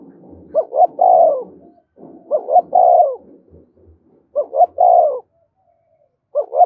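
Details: Spotted dove giving its call to stir wild doves to fight: four mellow three-part cooing phrases roughly every two seconds, short rising coos then a longer drawn coo, over a low rumbling background, the last phrase cut off.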